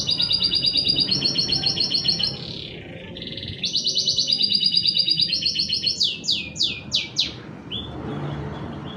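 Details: Canary song played to stimulate other canaries to sing: long buzzy rolling trills in bursts, short pauses, then rapid descending sweeps and a brief final note.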